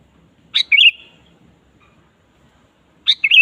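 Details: Sooty-headed bulbul in full song, played to coax a kept bulbul to sing: two identical phrases about two and a half seconds apart, each a sharp note then a burbling liquid warble; faint low rumble behind.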